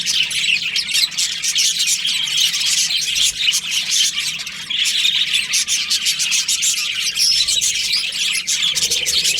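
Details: Budgerigars in breeding season filling the air with constant rapid chatter, dense high twittering and little warbled squeaks from a colony, briefly softer around four and a half seconds.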